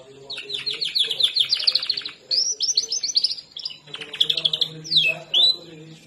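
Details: Canary song in varied phrases: fast rolling trills of repeated notes, sweeping slurred whistles and chirpy runs, with short pauses between phrases and a faint low hum underneath.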